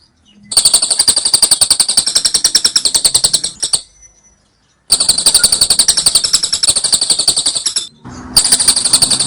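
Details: Training recording of lovebird ngekek song: two long runs of rapid, high, rattling trills of about three seconds each with a quiet gap between, then a third burst starting near the end.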